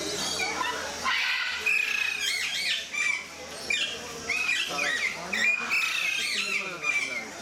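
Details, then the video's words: Alexandrine parakeets at Mysore Zoo giving loud, harsh, arching squawks in quick uneven bursts, with people talking nearby throughout. "Alexandrine Parakeets At Mysore Zoo"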